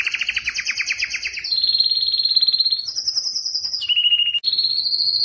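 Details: A Belgian canary pours out its loudest song to attract breeding females, changing from a low rapid rattle to a smooth sustained whistle, then higher and lower clear notes held in steps.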